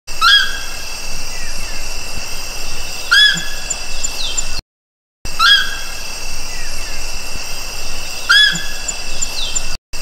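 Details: A Nankeen (Rufous) night heron, Nycticorax caledonicus, singing: short, hoarse, slightly rising notes about three seconds apart, over a steady high hum of insects.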